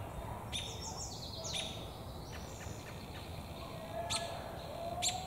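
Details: American robin in a tree, beak full of damselflies, calling with quick high chirps and a few thin descending slurred notes, scattered irregularly against constant low rumbling background noise.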